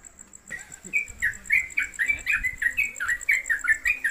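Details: Caged trucuk, or yellow-vented bulbul, at home breaks into its ropelan song after half a second of near silence. Rapid, bubbly, slurred notes follow in an unbroken stream over a persistent high electronic whine.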